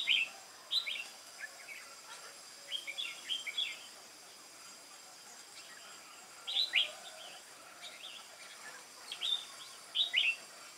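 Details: On 22 October 2018, a caged, wild-caught Red-whiskered bulbul sings in contest style. Short, cheerful, warbled phrases of a few quick whistled notes repeat every two to three seconds, with pauses and steady hiss between them.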